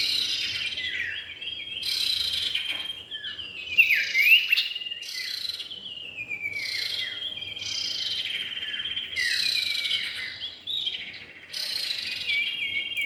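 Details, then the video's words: Common iora, male and female, calling in a lure recording: repeated bursts of clear whistled phrases sliding down and up, broken by short pauses, over a steady high insect-like drone. "pikat burung cipow jantan dan betina"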